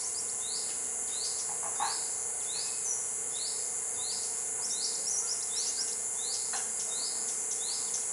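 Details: Bar-winged flycatcher-shrike in Khao Sok, Thailand: a long series of short, high, rising notes repeated roughly twice per second, over a loud steady insect drone and a low hum.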